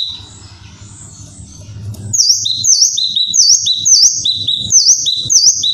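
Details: Kinoi, a tropical bird, calling loudly after a quieter start with low rumbling background; sharp, high, dipping notes each followed by a lower flat note, repeated nearly twice a second.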